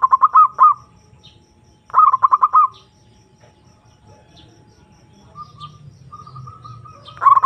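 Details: Zebra dove lure call to a rival: three short bursts of quick rolling coos separated by pauses, a faint soft trill in between and a low background hum.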